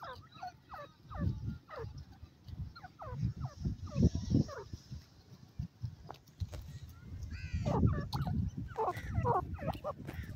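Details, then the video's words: Grey francolin giving loud, harsh, repeated calls in quick uneven bursts, about three a second, over a heavy low rumble of background noise. "gora teetar ki awaz"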